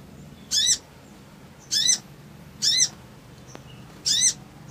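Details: Male Crimson sunbird in a lure recording meant to rouse emotion and a fast reply: four single sharp, high, arched notes spaced about a second apart against quiet low background hum.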